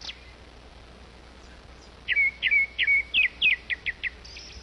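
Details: Grey-backed thrush at the nest while a female feeds her chicks: after two quiet seconds comes a quick series of about ten sharp, high chirps, the first ones slurring downward and the later ones shorter and clipped.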